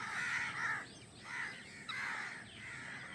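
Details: Freshly hatched drongo nestlings wait in the nest for their mother to bring food. Three drawn-out, harsh, buzzy calls rise and fall, separated by short pauses.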